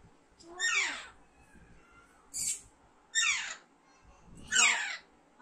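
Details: Loud, rasping screeches from an Alexandrine parakeet, each dropping sharply in pitch, four calls spaced about a second and a half apart over a faint background.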